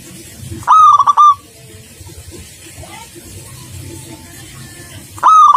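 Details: Local zebra dove giving two short bursts of stuttering, clipped coos separated by a long stretch of background hiss and faint rumbling.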